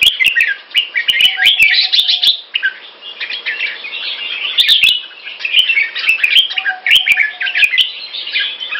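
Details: Caged red-whiskered bulbul delivering clear, loud Burmese Sword (Pama Dha) song, long bubbling runs of warbled chirps and whistled slurs in repeated phrases, accompanied by frequent sharp clicks and a soft steady low tone.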